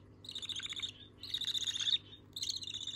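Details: Young budgerigars asking one another for food, giving three raspy, buzzing begging squeals, each under a second long, separated by short quiet gaps.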